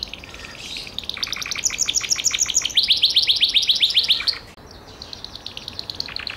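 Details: Gloster canary song building from soft chatter into fast, high, rattling trills of evenly repeated notes, then quieter phrases after a brief break.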